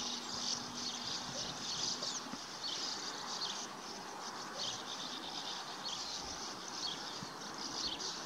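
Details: At a Sand Martin colony at Budimír, Slovakia, many birds give dry, rasping, buzzy twitters that overlap continuously, with a faint low hum early on.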